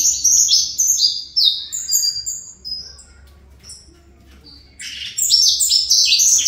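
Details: Saffron finch of the 'fibra' type, kept in a cage, delivers fast high whistled and chattering phrases, falls silent for almost two seconds, then bursts into a dense buzzy trill again.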